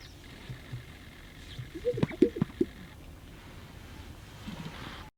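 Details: A displaying greater sage-grouse inflates the air sacs in its chest, giving soft low swishing and cooing, then two hollow, bubbly pops in quick succession, over a faint background hiss.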